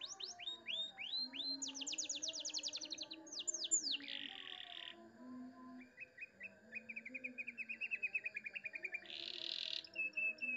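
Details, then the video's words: A canary sings a rich, continuous song of fast repeated-note trills, rising whistles and buzzy rolls, switching phrases every second or two over a faint low hum. "Kenari Suara Jernih Cengkok Mewah"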